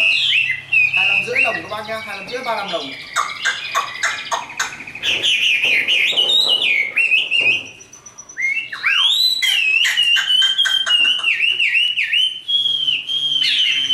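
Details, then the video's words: Fully tame caged Chinese hwamei pouring out a long fighting song: fast warbled runs, harsh rattling chatter, brief pause, then sustained rich whistles looping up and down. "Họa mi số 1120 Chim thuần 100% sách tay hót đấu đá rất tốt"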